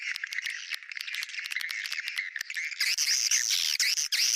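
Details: Swiftlet sound of the bintang utara style, meant to draw swiftlets: rapid rattling chirps, then a louder stretch of high, squeaky, looping twitters near the end.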